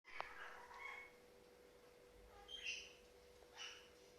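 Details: A pet budgerigar playing and making happy sounds: soft, scratchy chattering bursts over a faint steady hum.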